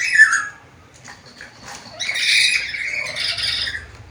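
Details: A talking black-capped lory with varied sounds gives one sharp squawk, then quieter scratchy chatter building into a longer, noisy, warbling call.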